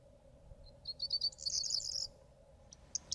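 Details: Corn Bunting perched and singing in autumn: a short phrase of a few quickening high ticks running into a dry, jangling jingle like shaken keys, over a steady low hum.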